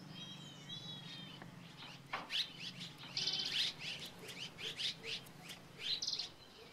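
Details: Red-rumped Swallows perched together in Landour, in the Indian Himalaya, give short, high chirping and twittering notes in quick irregular bursts, with a few thin whistles at the start, over a low steady hum.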